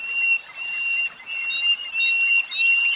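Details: A caged common nightingale sings a long, steady whistled note broken by short pauses, then a rapid run of higher repeated pips.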